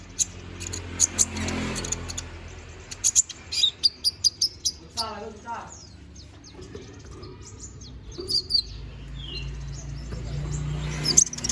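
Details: Konin bird in full song: rapid strings of sharp, very high chirps and twitters, a short pause with low murmured human voices and hum, then more squeaky notes.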